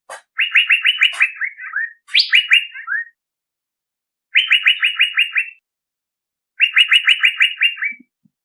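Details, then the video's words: Male Asian fairy-bluebird lure call: four bursts of rapid, bright, evenly spaced notes, about seven or eight per burst. Some bursts end in lower slurred notes, with short silent pauses between bursts. "Suara pikat burung cucak biru jantan"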